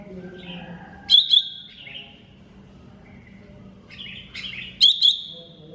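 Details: Master recording of a greater green leafbird: quiet warbled phrases broken by two pairs of loud, sharp clipped chirps, each followed by a bright sustained whistle. A faint low hum sits underneath.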